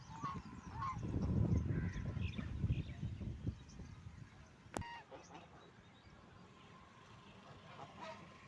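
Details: Ducks feeding and drinking water, a burst of low, rough dabbling and quacking sounds in the first three seconds, then a quieter stretch with a few faint nasal notes.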